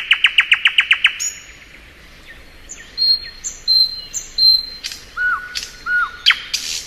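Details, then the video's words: Spring song of a thrush nightingale: a fast rattle of about nine clicking notes, then high pure whistles, and later low level notes broken by sharp dry bursts. "Nightingale Song.(Luscinia)."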